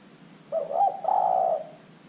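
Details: A single coo phrase from a spotted dove kept as a lure to draw other birds into calling: a short rising note, then a longer, wavering, mellow coo of about a second.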